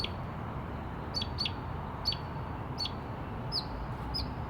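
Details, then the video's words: Bird in a tree giving sharp high chirps, short bright notes repeated irregularly about every half second, over steady low background rumble. "Bird in tree making crazy noises"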